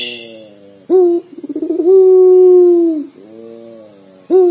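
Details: Local puter dove, an eager dor caller whose coo is said to resemble crying: a sharp short note, quickening tremulous pulses, then a long level coo dropping at the close, followed by a soft low hum and a new phrase. A thin electronic whine is present.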